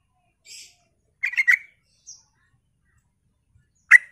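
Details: Sooty-headed bulbul gacor lure song for drawing answers from other bulbuls: a faint high hiss, a quick stuttering run of three chirped notes, a tiny squeak, then one loud isolated chirp in otherwise quiet surroundings.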